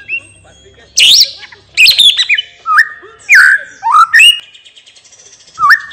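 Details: Relaxed ngeplong-style song of a white-rumped shama, loud varied phrases of rich whistles and twisting notes, each burst separated by short pauses of about half a second.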